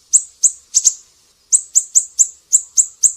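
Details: Energetic siri-siri birdsong: a run of crisp, very high chirps, three then a brief pause, then seven more evenly spaced at about four per second, each note thin and slightly rising; nothing else audible.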